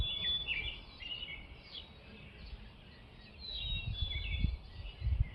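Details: Robins singing in spring and early summer: thin, high warbled phrases drift in and out over a strong low rumble of wind or distant noise.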